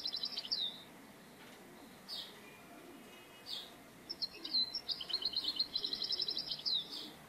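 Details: Singing European goldfinch at a bird-trapping spot: isolated high chirps at first, then a lively run of rapid twittering and jingling trills, many short bright notes in quick succession, over steady hiss.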